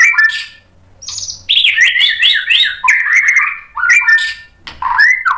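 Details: White-rumped shama roused by a rival, a dense rapid warble of twisting whistled notes with scratchy clicks, pausing briefly before more sliding phrases.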